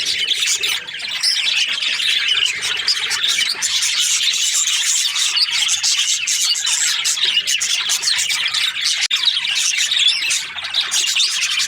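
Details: A happy budgerigar keeps up a long, high, scratchy chatter of quick chirps, squeaks and warbled notes, steady and dense throughout.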